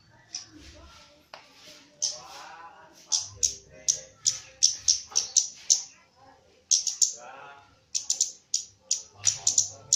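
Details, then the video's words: Javan myna singing busily, with rapid runs of sharp, high chipping notes mixed with harsher rasping phrases, in dense bursts over ten seconds with a brief gap midway; a low background hum. "KEMADE JAWA GACOR"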